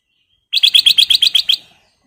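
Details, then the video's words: A sooty-headed bulbul gives a quick run of about nine bright, identical chirping notes, roughly eight a second, lasting just over a second against a quiet background. "KICAU BURUNG KUTILANG EMAS GACOR"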